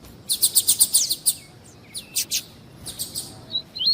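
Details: Double-collared seedeater in the tui-tui song style, a warm-up recording for tournament breeders: a quick burst of about eight sharp high notes, then scattered chips and short rising whistles.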